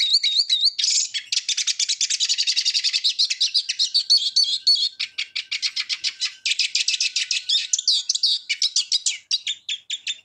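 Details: Eurasian siskin song: a long, dense twittering run of rapid chirps and trills, broken by wheezy, wavering whistles near the start and again in the second half, with short gaps between bursts.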